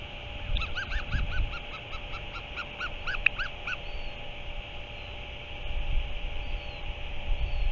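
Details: Northern royal albatross, recorded 05.03.2023: a quick series of short, arched, whining harmonic notes repeated for about three seconds, then quiet with low rumbling wind-like noise throughout.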